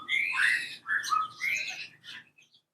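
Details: In the morning at an aviary, a hill partridge gives a loud series of whistled, slurred notes, four phrases in under three seconds, each rising then falling in pitch.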